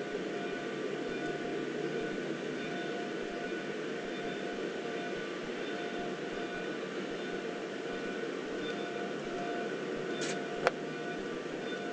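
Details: Steady broadband mechanical hum with faint tonal lines and one sharp click near the end, no animal voices.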